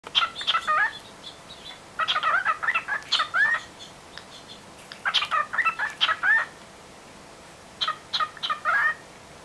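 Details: A pet cockatiel chatters at a phone in bursts of whistled, warbling notes with rising and falling slurs.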